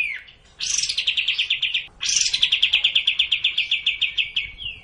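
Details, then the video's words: Sooty-headed bulbul song used to prompt a sluggish bird into song: two phrases, each opening with a harsh buzzy note and running into a long, fast string of repeated chips that slowly drop in pitch. "Cara Memancing Burung Kapas Tembak yang malaes bunyi agar racin gacor dan ngplong"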